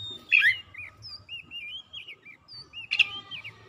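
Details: Oriental magpie-robin singing as a lure for sluggish, silent birds. A harsh opening note leads into a string of sweet wavering whistles and slurred trills, ending with a sharp burst, over a steady electrical hum.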